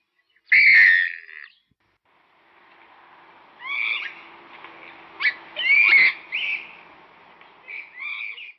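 Purple Swamphen giving harsh, nasal shrieks and wails, several loud bursts spread over a few seconds, with a faint background hum between them.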